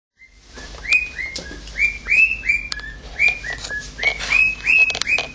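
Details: Pet male cockatiel doing his siren impersonation: a series of rising whistled swoops near the same pitch, repeated about three times a second, with sharp clicks and chirps between them.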